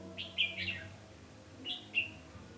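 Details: Red-whiskered bulbul acting as a caged decoy, singing to lure and fight wild birds during trapping on 20 November 2015; two bright, warbled chirping phrases about 1.3 seconds apart over a steady low hum.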